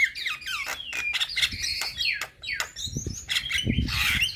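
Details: Young Javan myna pouring out a full song of fill-in phrases, said to prompt other mynas to reply; fluid whistles and rough chatter run together, with some low thumping noises.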